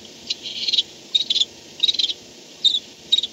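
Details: Barn owl returning to its nest at night, 4:38 am on 2-10-16, caught by nest camera; five scratchy, high twittering bursts roughly every half second to second, each a quick cluster of clicks.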